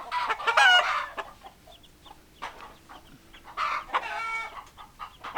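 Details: Hens clucking among roosters: two bursts of rough, harmonic cackling calls separated by a quieter stretch of soft scattered clucks.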